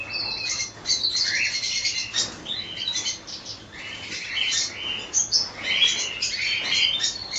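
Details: Cockatiels in a colony keeping up a steady chorus of chirps, scratchy chatter and short rising whistles, many birds overlapping with no real pauses.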